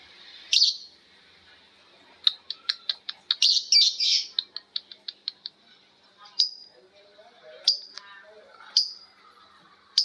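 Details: Lovebirds answering each other with ngekek chatter, a shrill high shriek followed by a quick series of clipped squeaky notes and a harsh burst, then spaced sharp calls about once a second.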